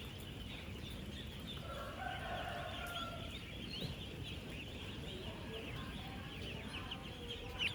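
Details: Thousands of 10-day-old ducklings on a duck farm, moving, eating and drinking together: a dense, continuous chorus of short high peeps that overlap without pause, with faint longer tones of another fowl underneath and steady low background noise.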